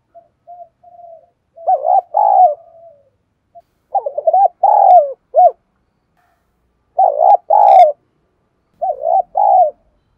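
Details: Spotted dove used as a decoy for stirring wild males to answer, giving a 'đồng pha thổ' style coo; four loud phrases of stuttered and rolling coos, each preceded by soft short notes, with quiet gaps.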